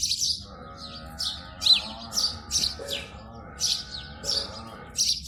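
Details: Sparrows in the morning at the nest, giving bright, sharp chirps about twice a second over a low steady hum.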